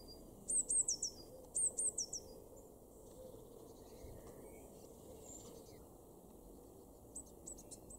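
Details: In a garden in Weener, East Frisia, northwest Germany, in April 2021, a Eurasian blue tit gives two quick phrases of high, thin falling notes close together, then a long pause, then a fainter phrase near the end.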